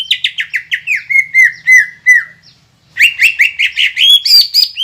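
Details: Lure song of a green leafbird to stir stubborn birds into singing: quick, falling whistled notes slowing into a steady series, a silence of under a second, then a rising chatter of bright, squeaky phrases.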